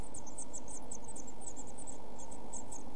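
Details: Week-old Eurasian blue tit chicks in a nest box, filmed 5–7 June 2014, give thin, very high cheeps in quick, overlapping bursts, several a second, over a steady low hum.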